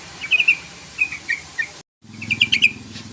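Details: Yellow-vented bulbul calling a rival to answer. Scattered short, sharp chirps in small groups, a brief cut of silence, then a quicker run of five ringing notes.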